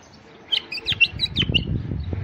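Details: Adult male Iraqi white-eared bulbul singing to lure wild bulbuls: a brief phrase of six or so bright whistled notes, followed by low rumbling and knocking noise.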